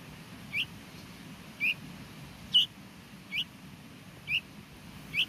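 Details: Hungry bulbul chick at the nest, calling while being fed: short, sharp, slightly rising squeaks repeated about once per second, six in all, over a low steady hum.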